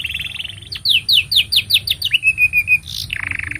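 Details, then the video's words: Canary in long continuous song, kept as a master song for training young canaries and prompting silent birds to sing: rapid repeated downslurred whistles at about five per second, then steady buzzy trills and a rattling roll. "Kenari Gacor Panjang Ini Bagus Untuk Masteran Kenari Paud Dan Pancingan Kenari Bisu"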